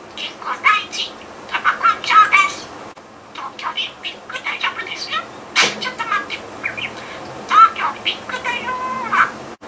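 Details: Pet budgerigar talking indoors, freely rearranging learned Japanese words and reusing phrases such as 'Brazilian person' and 'Tokyo Olympics' to invent strange new words; high chattering voice-like phrases with short chirps, in bursts separated by brief pauses.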